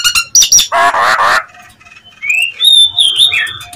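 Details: Nias hill myna lure call meant to provoke rival mynas: loud harsh broadband squawks open, followed by rising whistled slurs and high clear notes.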